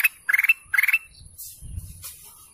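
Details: Golden canary giving two short, buzzy, pulsed calls in quick succession, each a rapid stutter of notes rising slightly in pitch, followed by faint low rumbling background noise.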